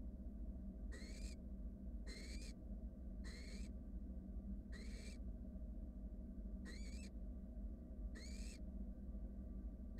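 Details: Barn owl chicks, wild, in a research nest box, cuddle while a nestmate swallows a rat; six harsh hissing snores, each ending in a rising whistle-like tone, repeated roughly every second and a half over low hum.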